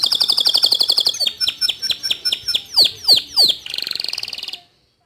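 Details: A white local canary sings a quick pulsed trill, then loud sweeping down-slurred notes spaced by short gaps, then a soft buzzy rattle before falling silent.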